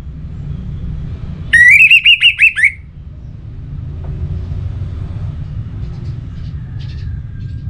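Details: Orange-headed thrush (anis merah) from Bali used as stimulation song: six rapid, repeated rising whistled notes in just over a second, followed by quiet background rumble and a few faint distant chirps.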